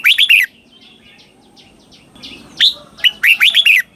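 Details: Red-whiskered bulbul in southern master-style song, played to help young birds copy: a rapid four-note bubbly phrase, faint chirps, then another quick run of rich whistles.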